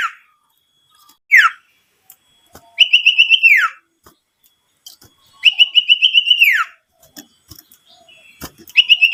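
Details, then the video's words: Lure recording of an owlet meant to stir rival owlets into calling: three long, pulsing whistled phrases that waver steadily, then drop sharply in pitch, with a short squeaky note before them and faint clicks between. "Pancingan burung sirtu super gacor"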